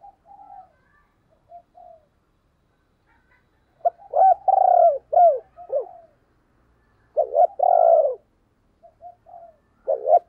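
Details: Spotted dove kept as a decoy to stir others to coo, giving two phrases of hoarse, mid-pitched coos, each a quick doubled note into a drawn-out croo and downslurred ending, separated by faint soft calls.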